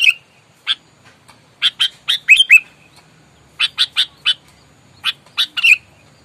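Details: Sooty-headed bulbul calling aggressively as if to fight, used to lure and rile rivals: harsh scratchy notes in clusters of two to four, with a few slurred downward notes.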